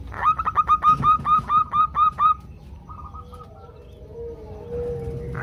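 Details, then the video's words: Female zebra doves in a group calling to males, a lure to prompt singing: one fast series of about ten clear whistled notes, then softer, scattered notes and a faint lower drawn-out tone. "ombyokan perkutut betina memanggil jantan"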